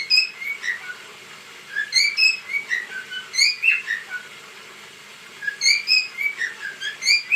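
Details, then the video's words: Cockatiel at home whistling during its dance: series of bright, slurred chirps forming a repeated phrase, heard in several bursts across the recording. "Paşa'nın dansı sultan papağanı sesi"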